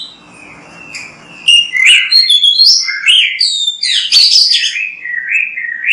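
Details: Song of an Oriental magpie-robin, a kacer in full voice used as a training recording: quick run of bright whistles, chirps and rising and falling warbled notes, starting after a quiet second with faint low background hum.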